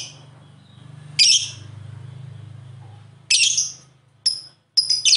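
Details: Lovebird, a colourful hooked-bill parrot, described as melodious, lively and chattering (ngekek); harsh, shrill chirped bursts of about half a second come in four spaced outbursts over a steady low electrical hum.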